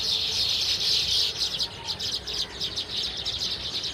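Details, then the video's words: Baya weaver flock, a weaverbird of grasslands, cultivated areas, scrub and secondary growth, giving dense high-pitched chattering and chirping, many overlapping rapid notes forming a continuous buzzy wash. "Baya weavers birds sound effect"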